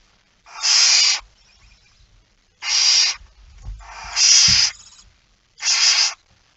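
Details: Feeding time at a barn owl nest, September 2019 dawn: four loud breathy hisses about a second apart in pairs, with faint scuffling between them.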